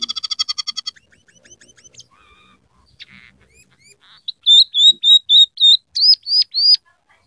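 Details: Scaly-breasted munia song laced with rough canary, sparrow and red siskin phrases: a fast trill at the start, quiet twittering and buzzes, then a series of loud, pure, high whistles, the last ones rising and bending.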